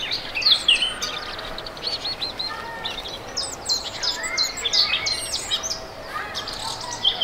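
A European robin sings a run of thin, high, tumbling phrases mixing clear whistles and fast twitters, with short pauses between bursts over a faint outdoor hiss.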